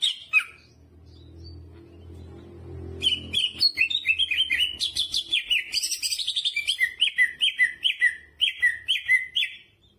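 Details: Greater green leafbird in full song, following a low background hum, with a rapid run of chirped and whistled notes repeated in quick succession for seven seconds.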